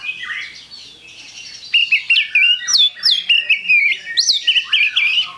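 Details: Oriental magpie-robin opening with softer scratchy notes, then breaking into loud, fast, varied whistling with steep slurred sweeps and quick repeated phrases for the last few seconds.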